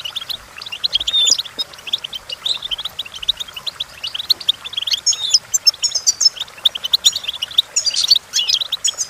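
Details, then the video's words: Goldfinch song meant for training goldfinches to sing, a fast, continuous chatter of high tinkling notes and buzzy twitters, with brighter ringing phrases near the end. "The Entrancing Song of Goldfinches Birds"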